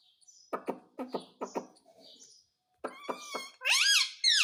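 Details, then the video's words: A talking parrot chatters in short, harsh, speech-like bursts of paired clicks and rasps, possibly saying 'mummy' in Hindi, ending in rising and falling whistled squawks in a small room. "Parrot sound effect_ Parrot sound _ Mummy ka pyaara mitthu parrot"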